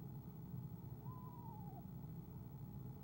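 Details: A nesting female eastern screech owl trills softly at her mate's arrival, February 2015; one brief tremulous trill sliding slightly downward, steady low background noise.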